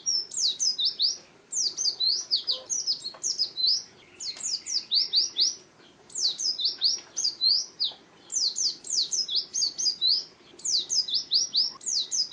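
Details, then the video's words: Wild-style ngalas song of an Oriental white-eye: very high, fast chattering phrases of sharp downslurred notes in runs of about two seconds, separated by short gaps, over soft background noise. "Suara Burung Pleci Ngalas Burung Kacamata Durasi Panjang"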